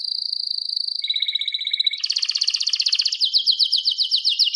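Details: Canary song for training other canaries to sing: a long steady whistle, a lower held tone, then a fast buzzy trill shifting into rapidly repeated chirps about four per second.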